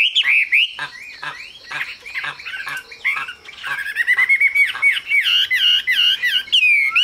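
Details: Chinese hwamei kept as a cage bird, singing a loud, varied run of clear whistled phrases that slide up and down, mixed with sharp buzzy notes and soft clicks near the start.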